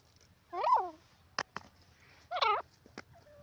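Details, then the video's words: Grey francolin in jungle, two loud, rich, bending harmonic notes about two seconds apart, separated by sharp clicks; quiet background. "jungli teeter ki voice,grey partridge in ajungle awaaz"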